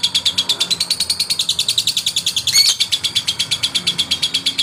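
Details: Male lovebird singing to provoke rivals: a long, fast, even chatter of high buzzy pulses, about six per second, with one brief louder squeak partway through.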